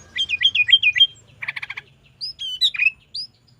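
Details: Kutilang, the sooty-headed bulbul, in 'gacor isian' song for tutoring caged birds: four quick looping whistled notes, a dense buzzy burst, then sparse rising and falling whistles, with a faint low hum beneath.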